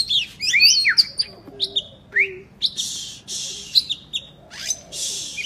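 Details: Oriental magpie-robin in full song, played as therapy to get lazy, quiet magpie-robins singing: varied clear whistles, rising and falling slurs and short buzzy bursts, delivered in quick succession with brief pauses.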